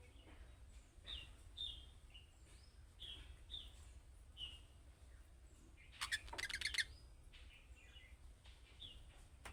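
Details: Calling-style chirps of young budgerigars: a steady run of brief rising high notes, then a harsh broadband rasping burst about two-thirds through, over a soft background hiss and low rumble.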